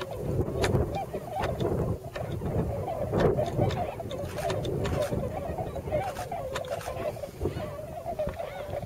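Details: Tundra swans wintering on rice fields near Yasugi, Shimane Prefecture, Japan, hundreds in the flock; a dense chorus of wavering, honking calls runs continuously, with low wind rumble and occasional sharp clicks throughout.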